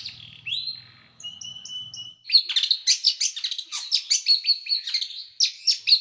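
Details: Small bird's sharp training song for caged birds: opening thin whistles and a low hum, then dense, loud, scratchy twittering in quick bursts.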